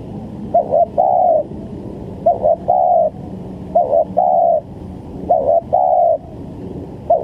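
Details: Trapping-lure call of a spotted dove. Four low hollow phrases, each a short broken note leading into a longer level coo, evenly repeated about every one and a half seconds.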